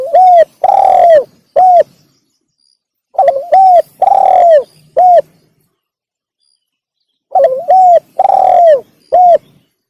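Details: Tekukur, or spotted dove, calling to attract wild doves: three phrases roughly every four seconds, each with a brief stammer, an arched coo, a longer buzzy coo and a crisp final coo.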